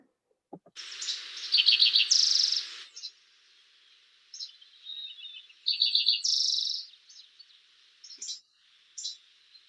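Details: A Spotted Towhee in Montana sings twice, a few short introductory notes and then an explosive buzzy trill, over faint hiss; a song heard in spring and summer from birds low in brushy habitat.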